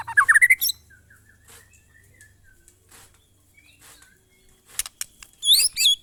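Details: White-rumped shama singing in the monotonous style known as glondong: a quick run of rising whistled notes opens, then sparse soft single whistles, ending with loud, high, sweeping twittered phrases.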